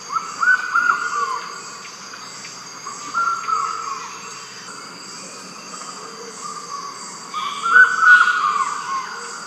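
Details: Lilac kingfisher calling with short trilled, slightly buzzy phrases around a steady pitch, repeated every two to three seconds, over a constant high-pitched hum of insects and background noise.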